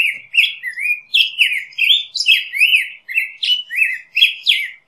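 A Black-headed Grosbeak sings a rich, continuous run of warbled, rising and falling phrases, about three to four notes per second, with no other sounds.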